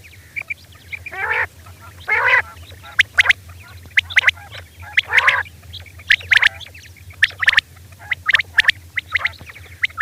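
Rain Quail, a female calling at night: harsh, raspy squawks mixed with quick clipped chips in irregular bursts every second or so, over a faint low hum.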